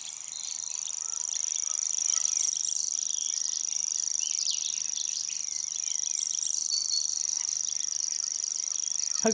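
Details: Grasshopper Warbler singing from small deciduous bushes in the distance, its sound deceptively close; a continuous high insect-like reel runs unbroken throughout, swelling and fading slightly as the bird turns its head, with faint other birds twittering beneath.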